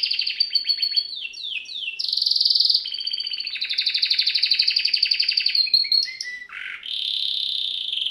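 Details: Canary (Serinus canaria) song used for training birds: continuous sequence of fast rolling trills switching between tours, with a harsh buzzy burst, a low dipping note and a steady sustained trill at the end.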